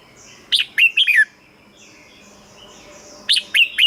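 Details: Brief phrase of three or four lively, slurred whistles from a red-whiskered bulbul, played to excite caged birds, then a quiet gap and another phrase starting.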